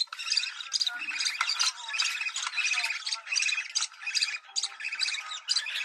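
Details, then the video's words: Budgerigar call for stimulating breeding: rhythmic bursts of rapid, buzzy chirps and squeaks, each lasting under a second, repeated almost continuously. "Muhabbet Kuşu Kızıştırma Çiftleştirme Sesi"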